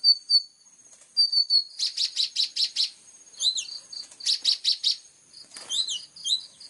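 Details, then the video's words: Plain-throated sunbird singing actively in the full sharp 'tembakan' style with a clear voice. High thin whistled notes alternate with bursts of rapid buzzy chips, delivered in two fast trills and some quick looping slurred notes. "KOLIBRI NINJA GACOOR FULL TEMBAKAN TAJAM||suara jernih"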